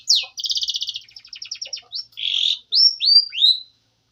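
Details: Canary singing as training material: a sharp downslurred note opens a rapid, evenly pulsed rattling trill that slows, followed by a rough buzzy burst and three clear falling whistles.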